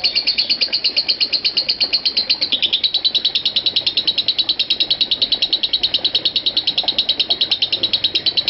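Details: Extended lovebird ngekek used as a master recording for training other lovebirds: shrill, rapid-fire chattering notes in an unbroken run, with a brief pitch dip partway, then continuing evenly at a fast pace.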